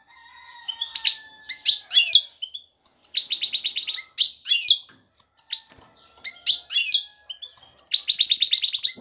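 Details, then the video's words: Excited song of a male European goldfinch calling a female to mate and build a nest: fast liquid twittering with rapid rattled trills, repeated in lively bursts throughout. "ذكر الحسون جاهز, يبحث على الانثى للتزاوج"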